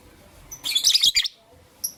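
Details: Lovebirds, albino and Euwing green opaline, chirping in the morning: a dense, harsh burst of sharp high chirps lasting about half a second, then quiet and a single short high squeak near the end, over a faint low hum.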